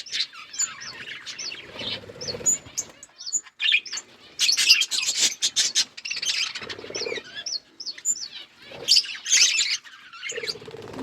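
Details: Pet budgerigars chirping: bright, high twittering chirps and warbled notes in bursts of a second or two, separated by short quiet gaps, with several birds calling over one another and a faint low murmur beneath.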